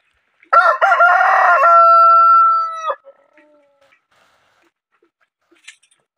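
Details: Desi rooster gives one crow lasting about two and a half seconds, starting with rough, broken syllables, then holding a long, steady note before cutting off, followed by near silence.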